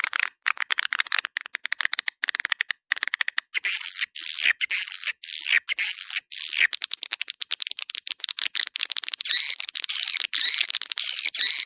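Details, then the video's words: Swiftlet call recording of the "Dua Bidadari" style, played to attract swiftlets to a central swiftlet area: dense bursts of buzzy, twittering chirps with rapid dry clicks, the chirps growing louder and more continuous toward the end. "SUARA PANGGIL WALET DUA BIDADARI RESPON TERBAIK DI AREA CENTRAL WALET"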